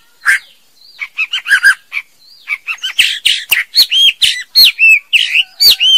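A female white-rumped shama sings a quick, varied run of clear whistles, sharp clicks and harsh chattering notes, several phrases each second, with no other sounds.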